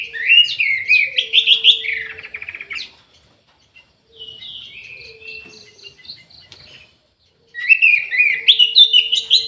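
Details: Aviary-kept orange-headed thrush in full song: a burst of rich, tumbling whistled phrases, then a quieter passage of softer notes and a short series of evenly spaced pips, then another loud warbling outburst. A steady low hum runs underneath.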